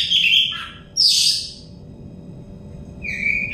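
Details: Oriental magpie-robin, stressed bird in a therapy recording: a short whistled note, then a harsh raspy burst, a long pause, and a clear level whistle at the end, low hum throughout.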